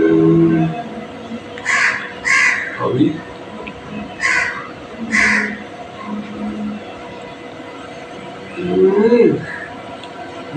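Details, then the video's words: Green parrot uttering harsh, grating squawks in pairs, two double bursts a few seconds apart, with quieter lower sounds between and a wavering call near the end over a constant hum. "Green parrot 🦜 talking natural sound"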